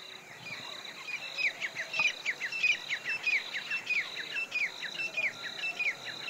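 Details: Grey francolin calling: a run of sharp, sliding notes repeated about every two-thirds of a second, moderately distant, over a steady high insect drone and light background noise.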